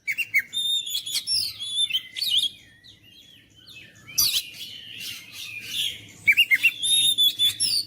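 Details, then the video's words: Vigorous oriental magpie-robin song aimed at rousing lazy, silent birds: varied whistled phrases and chirps, a short lull near the middle, then loud, dense trills and rhythmic repeated chirps at the end. "KICAUAN KACER MENGOYAK KACER BISU MALAS BUNYI JADI NGOTOT GACOR"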